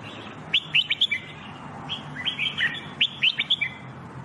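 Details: Red-whiskered bulbul song from a singing-training recording: two rapid bursts of chirpy whistled notes, each dropping into a slurred tail, separated by a short pause, over light background noise.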